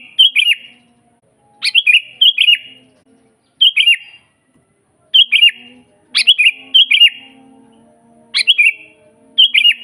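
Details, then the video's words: Sooty-headed bulbul singing steadily in the wild, recorded for training silent kutilang and luring wild birds: around eight cheerful liquid phrases, gurgling quick whistles rising then dropping, some given in close pairs. "suara burung kutilang GACOR asli"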